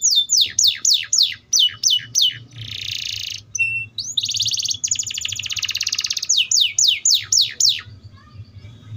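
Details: Atlantic canary in full song: fast series of sharp descending notes, a buzzy rattling trill, a sustained high whistle, another long buzzing roll, then more quick falling notes over a faint low hum.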